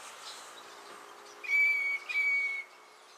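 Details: At Naro Moru River Lodge, Kenya, a Northern Fiscal (Lanius humeralis) gives a quiet lead-in then a pair of steady, pure whistles, each about half a second long, with a short break between them.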